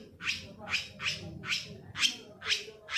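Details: Long-tailed shrike lure sound, played to make silent or lazy captive shrikes start singing: a series of harsh, raspy, broadband notes, about seven in three seconds, each a short scratchy burst, with a low hum underneath.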